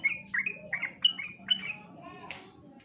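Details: Yellow-vented bulbul competition-style song: a few quick, liquid whistled notes, each slurred downward, followed by softer, scratchy chatter fading out.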